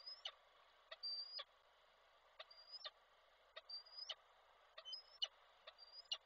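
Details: Peregrine falcon male in Koszalin, Poland, 16 February 2024, calling his mate while delivering prey. A run of about six high, slightly rising whistles, each ending in a sharp click, repeated steadily over six seconds.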